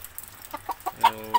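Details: Captive pure red junglefowl (labuyo), including three hens, fed on a rainy morning while moulting; one gives a few soft, quick clucks, then a short, fuller nasal cluck with a sharp click, over a low hum.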